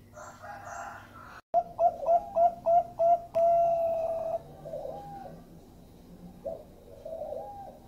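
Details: Lure song of a Bangkok-type zebra dove, melodious and meant to get other doves singing: a quick series of about six bright coos ending in a long level note, then several softer, lower coos trailing off.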